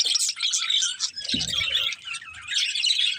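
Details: Several budgerigars twittering in a rapid, high, chattering stream of chirps and squeaks, with a short soft low sound partway through.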